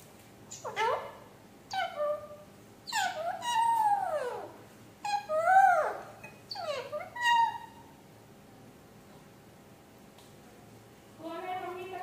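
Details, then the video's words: Talking parrot mimicking speech: six or seven loud, hooked syllables falling then rising, spaced one to two seconds apart, followed by silence and a soft closing tone. "talking 🦜 parrot"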